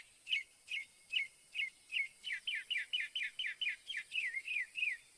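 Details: Northern mockingbird singing a long series of clear, down-slurred whistled notes, about two per second. The notes grow slightly more complex and warbled toward the end.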